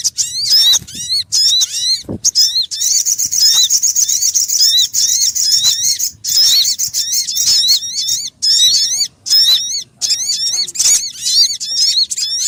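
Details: Lure recording for trapping sogon birds: dense, continuous run of quick, wavering high chirps with bright overtones, plus a steady high tone through the middle, broken by a few short gaps.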